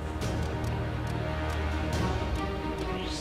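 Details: Steady instrumental music plays throughout, with no animal sounds heard.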